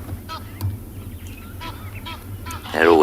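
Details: Egyptian geese shouting at each other near a resting hippo on a fresh, sunny August morning at a South African game reserve give harsh, hoarse honks in short bursts, ending in a louder raucous call, over low rumbling background noise.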